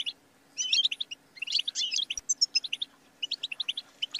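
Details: Short burst of European goldfinch song, played to stimulate songbirds: a pause, then jangling twitters, a clear ringing note near two and a half seconds, and a run of evenly spaced bright chirps.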